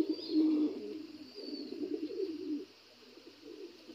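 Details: Black Lahori pigeon cooing, a low rolling coo in bursts of a second or two, then fading quieter, with a faint steady hum behind.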